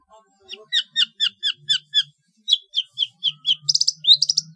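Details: {'caption': 'Long-tailed shrike, trotol training material for contest birds: evenly spaced, slurred, chattering notes repeated about five per second, then a brighter, quicker high-pitched flourish, with a faint low hum beneath.'}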